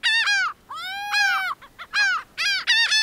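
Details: Laughing gull calling loudly: long, arched, nasal cries alternating with quick paired notes in a tight, laughing sequence.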